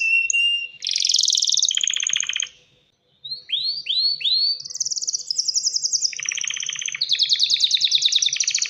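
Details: Male canary singing to attract a female and prompt mating and nest building: buzzy rattling trills, a short silence, then a few rising curved whistles followed by fast high trills and a lower buzzing roll.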